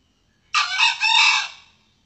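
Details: Lure call of a male red junglefowl, used to draw in wild males and females for trapping and hunting: a single loud, raspy crow of about a second, rising into a second sustained part before fading.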